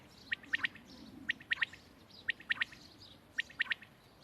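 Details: Quail giving its call, recorded 31 March 2024: crisp, liquid three-syllable phrases repeated at steady intervals of about one second, four phrases in all, over faint low background noise.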